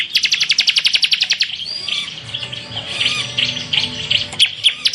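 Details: Ciblek (bar-winged prinia) tutor song in 'semi full tembakan' style: a quick string of about fifteen sharp, evenly spaced high notes, then a quieter section of thin chips and warbles, ending in brief staccato notes.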